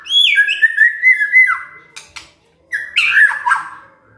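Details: Provoked white-rumped shama giving a high whistle that drops into a fast trilled run, then a short pause and a harsher, squawky burst of notes.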